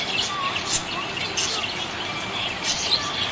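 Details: Happy budgerigar chatter, quick bright chirps and a soft warbling run over a constant busy background.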